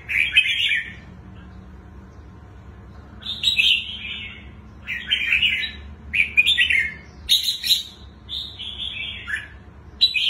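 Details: Twisting-voiced song from a wild-caught adult red-whiskered bulbul: about seven clear warbled phrases spaced a second or two apart, each a quick tumble of bright notes, with a soft background hum.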